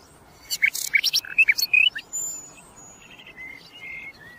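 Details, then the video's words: Common nightingale singing a quick, varied burst of high clicks, buzzy notes and sharp whistles for about a second and a half, then softer drawn-out whistles trailing off. "kicauan burung sikatan londo"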